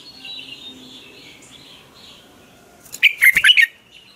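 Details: Red-whiskered bulbul giving a morning training song; faint distant whistles first, then one loud, quick warbled phrase of several notes near the end.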